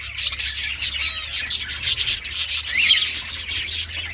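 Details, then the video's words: Pet green ringneck parrot chattering nonstop: scratchy high squawks, quick chirps and a few short bright whistles, with a faint low hum underneath. "So Much Talkative Green Ringneck Talking Parrot"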